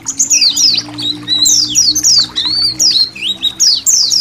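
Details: Colony of Indonesian white-eyes with trickling water, meant for training songbirds: sweet, high, arching whistled twitters in rapid succession over faint low droning tones.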